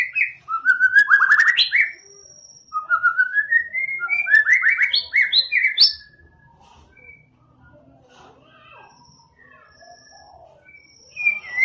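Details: Murai batu, the white-rumped shama, delivering loud, fast slurred whistles climbing in pitch across two bursts over about six seconds, then fading to faint scattered notes before a brief loud return at the end.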